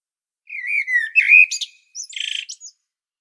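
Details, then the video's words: Blackbird song from the Sljeme slopes of Medvednica, Zagreb, Croatia, filmed with a Panasonic Lumix compact camera: a rich, wavering flute-like phrase that dips and rises, followed by a scratchy, high-pitched twittering flourish after a short pause. "Il Canto del Merlo 🍀 Mirlo Cantando 🍀 Merle Noir Chant 🍀 Amsel Gesang 🍀 Blackbird Song 🍀 Kos pjeva"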